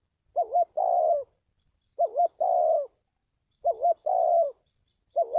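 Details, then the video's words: A spotted dove's lure call for trapping wild birds. Three complete phrases about 1.7 seconds apart, plus the start of a fourth; each opens with a rapid wavering double note and ends in a drawn-out, level coo. The background is otherwise silent. "tiếng chim cu gáy luyện mồi kích bổi"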